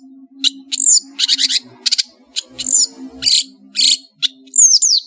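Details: Varied song of a long-tailed shrike from Madura: scratchy chattering bursts alternating with high downslurred whistles, delivered in quick irregular phrases over a faint steady hum.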